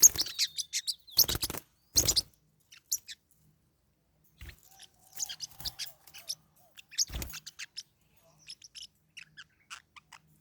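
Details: Fighting pet Forpus parrotlets: loud harsh scratchy bursts at the start give way to scattered short high ticks and chirps, with a brief faint low whistle midway.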